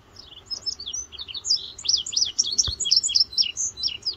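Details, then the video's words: An indigo bunting, recently returned in spring, sings in the morning in West Virginia on June 8, 2023: a fast run of high, sweet notes, many in quick pairs, bright and slightly buzzy, over a faint low hum and one soft thump. "Indigo Bunting Singing to Me This Morning"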